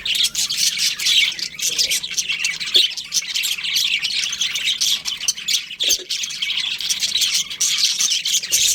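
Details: Many budgerigars in a colony squawk and chirp in a thick, unbroken wall of shrill, raspy notes, with a few clicks underneath.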